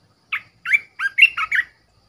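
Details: Red-whiskered bulbul, a caged decoy, singing one quick phrase of six rich, warbled chirps, each sliding down then up, closely spaced over about one and a half seconds.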